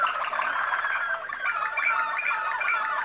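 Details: Waterslager Malinois canary bred in Macedonia, recorded in Kumanovo, with a dense tangle of warbling notes and bubbling rolls, several overlapping phrases forming a busy continuous song.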